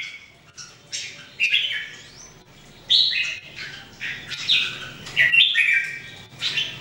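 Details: Daily singing practice of three Red-whiskered Bulbuls, 2018: short, rich warbling phrases rise and fall in quick succession, loudest near the end, over a soft background hum.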